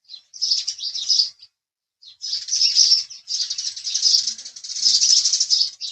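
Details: Busy house sparrow chirps: a short chattering burst, a clear one-second pause, then long runs of bright, overlapping chirps.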